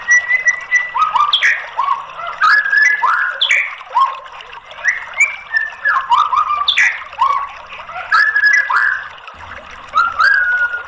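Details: Continuous White-rumped shama song played as a lure for a bird that will not sing: varied loud whistled phrases, sharp downslurs and rising notes in quick, irregular bursts with brief gaps.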